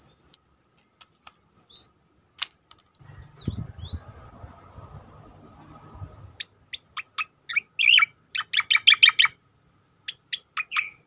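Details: Striated grassbird delivering its tembakan song for masteran training: scattered thin whistles and a rustling noise, then a long run of sharp, fast-repeated clipped chirps rising to dense loud volleys.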